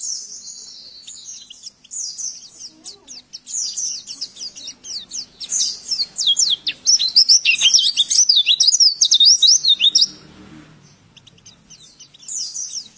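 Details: Oriental white-eye song used as a tutor recording for training other birds: rapid, high twittering and chattering phrases, building into a dense run of sharp upslurred notes, then a short pause and a fresh burst; faint low murmur underneath.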